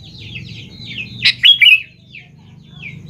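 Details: Sooty-headed bulbul lure song aimed at young birds: a brief, loud run of bright whistled notes in the middle, surrounded by quieter twittering and a steady low hum.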